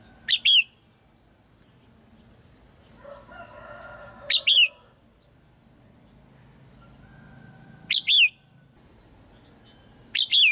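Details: Morning calls of a female red-whiskered bulbul, given to get the male singing: short clusters of two or three sharp, slurred whistled notes repeated roughly every three to four seconds, with a faint lower warble between and a steady background hum.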